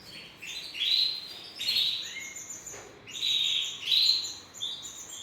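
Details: Canary song in short bursts of high chirping trills separated by brief pauses, two phrases of rising notes.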